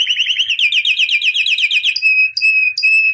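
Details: Albino white canary singing: a long fast trill of rapidly repeated rolling notes for two seconds, followed by sustained clear whistled tones broken by brief pauses.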